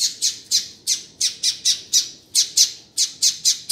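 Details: A double-collared seedeater gives a calling sequence of short, sharp, high chip notes, about three a second, with no other sounds; it is played to warm up and stimulate other seedeaters.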